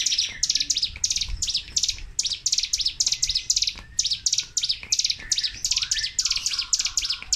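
Sunda warbler pouring out rapid, high, buzzy trills in a nonstop burst, short notes repeating several times a second with hardly a pause.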